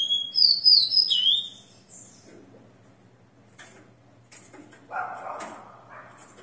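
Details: Captive, leg-ringed rufous-collared sparrow singing after its moult, recorded 29 September 2021 at 6 in the morning: a bright whistled phrase of high sliding notes lasting about a second, followed by quiet clicks and faint rustling.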